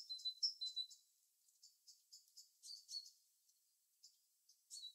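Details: High thin chirps and short whistled notes from a bird in natural habitat, a loud burst at first, then softer, irregular and broken calls with gaps of near quiet.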